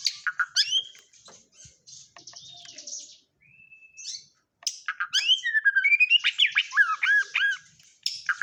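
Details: White-rumped shama song of the 'isian kapas tembak' type: quick varied whistles and chattering bursts, a brief level whistled note, then a fast rich run of looping, rising and falling phrases.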